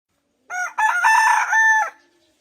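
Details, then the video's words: Chicken crowing close up: a short first note, a pause, then a loud, rough, drawn-out note that drops at the end, over a silent background. "Sound of hen"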